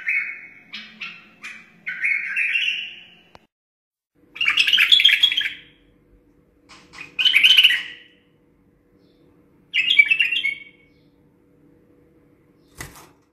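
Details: Wild white-eared bulbul song for tutoring chicks and motivating other bulbuls: a few chirpy notes and a warbled run, then loud bubbly phrases separated by clear pauses of a few seconds, ending with a sharp click.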